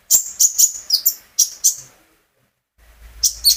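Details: Sunbird (konin) in captivity, recorded singing as a prompt to get other birds singing along: a quick string of thin, high chirps and trills, then a short silence and a fresh burst of sharp high notes.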